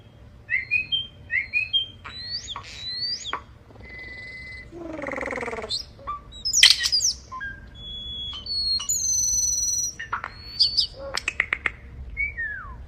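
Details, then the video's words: A bird makes robotic, machine-like noises: quick high chirps, flat electronic beeps, a buzzy descending warble and sharp clicks, one after another with short pauses. "Bird makes robotic sound"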